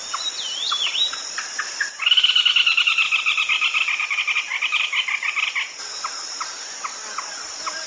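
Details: Red-legged crake call used at night for luring: a short whistled note and ticks, then a loud, rapid, grating run of repeated notes for about four seconds, with steady insect drone throughout.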